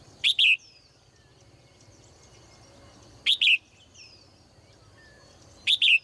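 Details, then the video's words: Morning chirping of a caged female bird: loud twin-note chirps repeated about every three seconds, three bursts in all, over faint thin whistles and steady hiss. "นกตัวเมียร้องเจื้อยแจ้วในยามเช้า , เสียงนกร้องในกรง"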